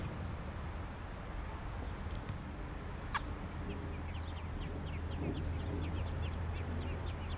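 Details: American robin babies begging as parents feed them: scattered short, high chirps that grow busier in the second half, with one sharp louder note, over a steady low rumble.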